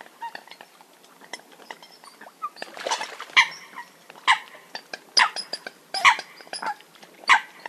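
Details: Eurasian coots recorded as a hunting call: scattered soft calls build to loud, sharp, clipped notes about once a second, with a rushing noise in the middle.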